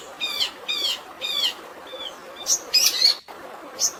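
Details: A long-tailed shrike sings a fill of fighting sparrow sounds, for stressed birds. Three harsh, chattering phrases are followed by a soft whistle, then loud, high, squeaky chirps.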